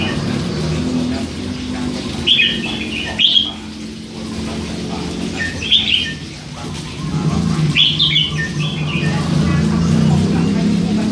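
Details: Young hand-fed red-whiskered bulbul, three months old, kept caged: three separate whistled warbling bursts a few seconds apart, set against a loud low humming background.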